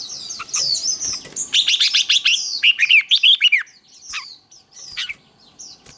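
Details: Red-whiskered bulbul performing contest-training 'ché' song: a dense run of rapid, bright chirped notes sliding into a fast warbled phrase, then scattered short high chirps from other birds.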